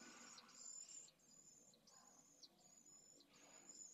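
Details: Pallid swift chicks asking for food in a nest under a live camera, Esclavas de Jerez, Jerez de la Frontera, 8 September 2022: rapid, shrill, buzzy trill bursts with short breaks, over muffled movement sounds in the nest.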